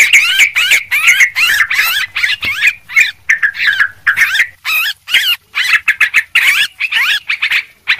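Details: Lure sounds of a noisy yellow-vented bulbul: quick, scolding chatter of arched, bubbling notes in uneven bursts, several overlapping, steady loud delivery throughout.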